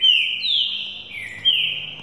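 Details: Young green-winged saltator being trained for the 2018 season, singing loud clear whistled phrases: a bright note sliding down, a long level whistle, then another bright descending note, with a faint background hum.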